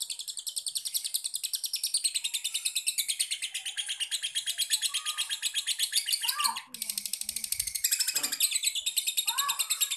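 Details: A young prospect lovebird chatters in a fast, unbroken stream of high, buzzy chirps. Lower swooping sounds, possibly a voice, break in briefly near the end.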